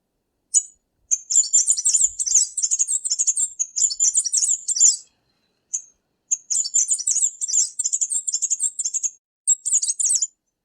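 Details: Tanager, one of the colourful Latin American kinds: long runs of very high, rapid, buzzy chattering notes, broken by brief pauses, continuing for most of ten seconds.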